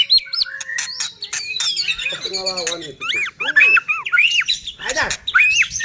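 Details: White-rumped shama singing, used as a lure to provoke other shamas to sing; a rich run of varied whistled notes, upslurred and hooked phrases, with rapid chattering and buzzy bursts between them.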